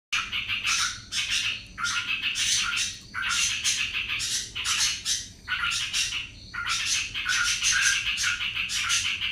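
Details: Yellow-vented bulbul singing in the rapid, continuous ropel style: loud, harsh, chattering bursts about a second long, separated by brief gaps, repeated steadily throughout.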